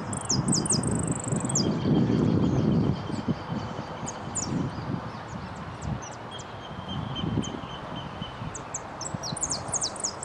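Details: Competition song of a saffron finch, placed second in the repique class at Nuevo Irupé, 15 01 12: a bright opening trill of high slurred notes, scattered high chips, then a closing burst, under heavy low rumble and rustling.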